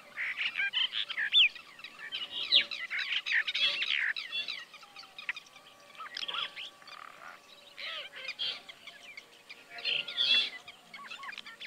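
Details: Brahminy starling in Kaohsiung City, 16 June 2020: a busy jumble of harsh chirps, squeaky whistles and nasal chattering notes in uneven bursts, over a faint steady hum.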